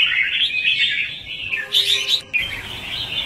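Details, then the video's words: Red-whiskered bulbul lure song, chè style, meant to trap and train bulbuls: bright warbling notes, then a burst of sharper higher chirps, before the busy twittering resumes. "Chào mào Luyện giọng | Hót Ché - Xòe hay Đỉnh cao từ trước tới nay , Bẫy đấu Chim Chào mào"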